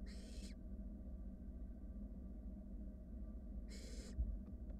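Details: Wild barn owl nestlings cuddling in their nest box while a sibling swallows a rat; two harsh breathy begging hisses open and close the stretch, separated by quiet low hum, with a faint knock near the end.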